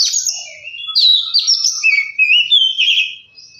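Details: Oriental magpie-robin lure song meant to get birds singing quickly: a burst of high chattering notes, then clear warbled whistles sliding down and up in quick succession, fading at the end.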